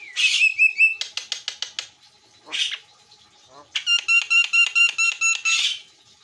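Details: White-eyed Javan myna singing eagerly, master recording: a whistled squawk, a fast series of clicks, a lone harsh note, then a steady train of metallic pulsed notes and a final squawk.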